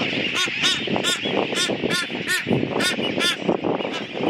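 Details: Nesting blue-footed boobies at a bird sanctuary on Wake Atoll, adults on nests feeding hatchlings, with a guided tour visiting: loud, hoarse, nasal calls repeated about every half second, several birds overlapping in a noisy colony chorus.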